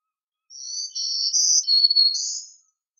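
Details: Black-throated green warbler song of about five buzzy, high notes in a row, the middle ones stepping up and down, a lower drawn-out note, then a rising buzzy final note, all in about two seconds with no other sounds.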